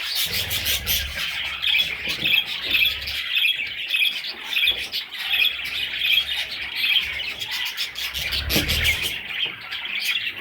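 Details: Little parrot chicks chatter loudly and constantly, a crowded mix of harsh, high squawks and tweets that swell and ease in waves, with occasional low bumps.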